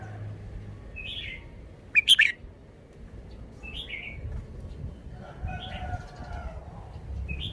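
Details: Red-whiskered bulbul in a cage presenting its song style: one loud, rich warbled phrase followed by scattered softer chirped notes over a low hum.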